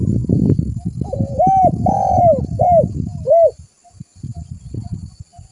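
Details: Spotted dove lure call used to draw other doves in: a phrase of rounded, looping coos, the middle note drawn out and the others short, over a steady low thumping rumble in the background.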